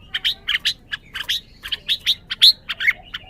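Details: Red-whiskered bulbul giving a brisk series of bright chirped notes, some with short upward flicks, spaced a few per second.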